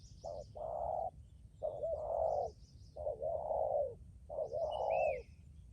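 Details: Spotted dove decoy bird cooing in bursts of low, mellow coos around 500–800, a short note then a longer drawn coo, repeated about every 1.5 seconds; small birds chirp faintly above with low rumbling background.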